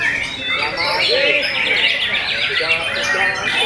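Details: White-rumped Shama (Murai Batu) singing during the first session of a songbird contest as the announcer urges the birds on. Rapid, high chattering trills and whistled phrases run continuously, with human speech and other contest noise underneath.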